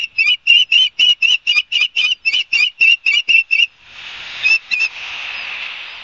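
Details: Osprey at a nest in Barnegat Light, New Jersey, home to a pair, on 5 September 2022 at 11:06, fast-forwarded, gives a rapid series of clear, high whistled chirps about four a second, then wind hiss and two final chirps.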